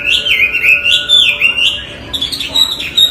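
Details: Hwamei delivering loud song: a continuous warbled whistle wandering up and down, broken into slurred notes, then softer higher twitters near the end.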